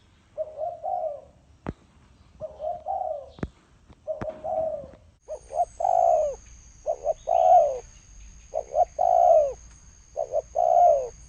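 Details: Spotted dove cooing in the thổ sấm style, recorded 2020: low, hollow phrases of two short notes and a long falling coo, repeated; sharp clicks early on, and a steady high whine joins halfway through.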